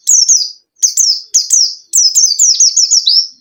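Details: White-eye song played to lure a caged bird that is slow to sing: bright high whistled notes dropping in pitch, in quick pairs, ending in a fast run of repeated downslurred trills.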